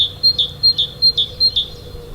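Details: A great tit sings in forest at winter's end, late January to early February, after a very cold night: a high, ringing two-note 'ti-tu' phrase repeated briskly about five times in two seconds over a faint low hum.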